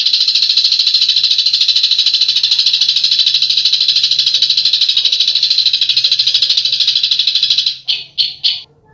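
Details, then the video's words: Besetan bird call: a long unbroken rasping rattle of fast, regular pulses that stops suddenly and ends with three short buzzy bursts. "SUARA BURUNG BESETAN"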